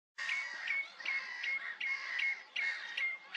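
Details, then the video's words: A Common Redshank at Rye Harbour gives loud, high, piping notes, several a second in short bursts, repeated steadily with brief gaps. "Redshank peeping"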